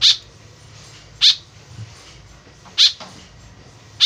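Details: A tame white-breasted woodswallow's lively calling, used as a lure to bring birds near: rasping, noisy notes about every one and a half seconds, three full calls and a fourth cut short, with soft low background rumble.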